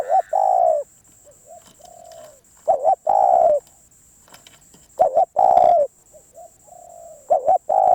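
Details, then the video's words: Spotted dove, a wild-caught bird described as very persistent, cooing in repeated phrases about every two and a half seconds: soft low notes, a loud double-pulsed coo, then a long falling coo, three phrases in all. "เสียงนกเขาใหญ่เจ้ามณี นกป่าเหนียวมาก"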